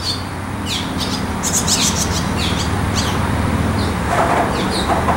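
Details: Barn swallow chicks in a nest, waiting eagerly for food: short, thin, high chirps and downward-slurred squeaks repeated rapidly and irregularly, with a steady low rumble underneath throughout.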